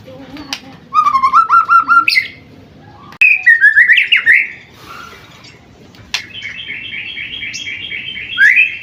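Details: White-rumped shama, seven months old and caged, gives a rapid series of low repeated whistles, a rising warbled phrase, then a long steady run of quickly repeated mid-pitched notes.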